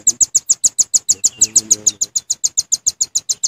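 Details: Velvet-fronted nuthatch lure call used for bird trapping: a rapid train of sharp, high chipping notes, about three or four per second, steady and evenly spaced throughout, with a brief faint lower warble in the middle.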